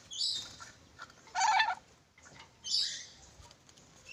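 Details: Black-capped lory repeating rough, grating squawks about every second and a half, each a broad scratchy burst, over a faint hiss.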